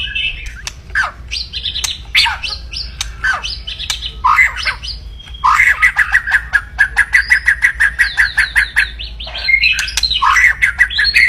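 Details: Highly active white-rumped shama giving harsh crackling song aimed at rivals: dense sharp clicks and chatters, then a long rapid pulsed rattle of about twenty notes, ending in whistled upslurs.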